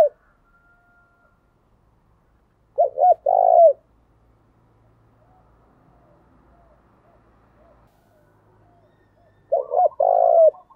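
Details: Spotted dove lure cooing meant to set wild-caught caged doves cooing. Two loud phrases, each a couple of short coos run into a longer drawn note, about seven seconds apart, with quiet gaps between.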